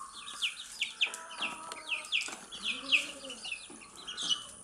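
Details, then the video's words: Baby chicks eating earthworms, a run of clear high downslurred peeps spaced about every third of a second, over a low steady hum and faint clicks. "Cute Baby Chicks eating earthworms and chirping sound"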